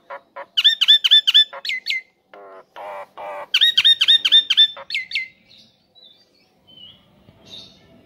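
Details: Male Nias hill myna calling the female: clipped, ringing squawks in quick runs of four to six notes, with rasping buzzy notes between, fading to soft faint calls at the end.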